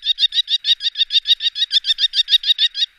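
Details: Rapid, steady kee-kee-kee of a common kestrel recorded in the Wittlicher Tal in 2018: about six bright, high-pitched notes per second in an unbroken three-second run.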